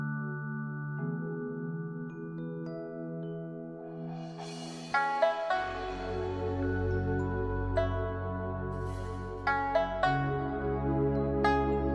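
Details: Only soft ambient music is heard, with sustained synth tones and chiming mallet notes and no animal sounds.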